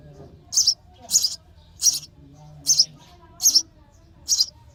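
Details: Baby sparrows begging for food in their nest during feeding, giving short, high, raspy chirps in six evenly spaced bursts roughly every 0.7 seconds over a quiet, low background hum.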